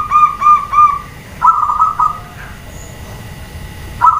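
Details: Calling to get males to reply, a female zebra dove gives three separate short coos, then a rolling rapid phrase, before falling quiet and starting again.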